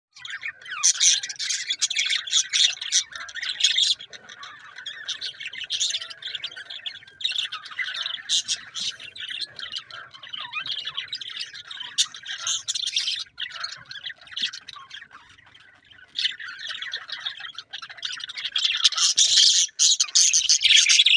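Budgerigars chatter in a steady stream of high, scratchy warbles and squawks during courtship in breeding season.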